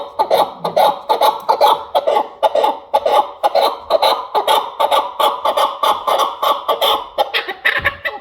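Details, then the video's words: A chukar partridge gives a fast, slightly uneven run of hoarse clucking notes, about two per second, growing busier and more overlapping toward the end. "КАБКИ ДУЛАН"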